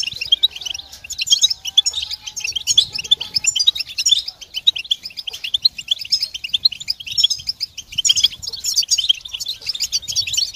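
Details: European goldfinches twittering together in a group chorus meant to help goldfinches sing through the moult; dense, overlapping high tinkling and buzzy notes pour out without pause, swelling and easing in waves over ten seconds.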